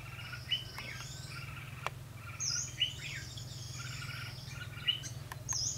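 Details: Red-whiskered bulbul at a fighting trap, recorded 12 February 2016, singing to draw rivals in. Short bright warbled phrases with sharp high notes come every second or so over a steady low hum.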